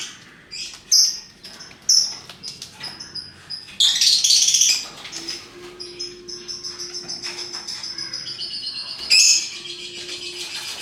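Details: Many-coloured lovebirds calling: sharp high chirps repeated about every second at the start, a loud rasping chatter burst around four seconds, then softer squeaks and a final shrill note.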